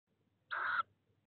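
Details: At 23:03 on 18 April, an 18-day-old tawny owl chick in a nest box gives a single hoarse, rasping hiss about a third of a second long. The chicks are fighting over prey and the mother returns. Otherwise quiet.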